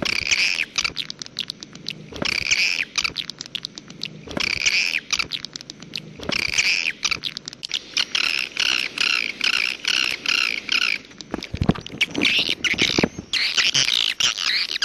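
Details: Edible-nest swiftlet calls: bursts of harsh, buzzy twittering in banded chirps, separated by short gaps and sharp clicks, with thicker runs of rapid chirps in the second half.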